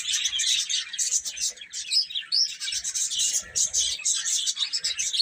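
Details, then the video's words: Several baby chicks chirp while eating and playing: rapid, high, shrill peeps overlap in a steady stream, with a few clearer upward-sweeping notes and faint low thumps. "Baby Chicken Chirping Sounds"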